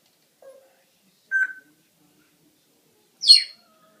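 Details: Pet parrot producing three isolated sounds: a soft low note, a short mid-pitched squawk, then a louder high harsh screech, each separated by silence.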